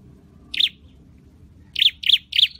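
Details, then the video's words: Scarlet-headed flowerpecker kept in a cage for training, giving one sharp high chip, a pause, then three quick chips in a row. "Deep red-headed birds(Dicaeum Trochileum): Birds thoroughbred training for singing chirped"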